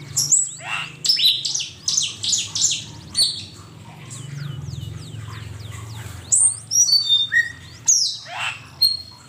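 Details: Asian pied starling singing on a master recording for training songbirds: loud clipped whistles and harsh squawks in bursts, a quieter stretch of soft descending chirps, then whistled notes return.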